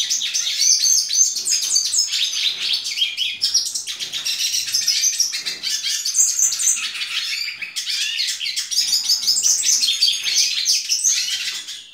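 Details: Hooded siskin hatched in April 2019, singing in the 2019 season: a long, rapid, high twittering song of buzzy trills and sweet chirps, pouring on almost without pause throughout.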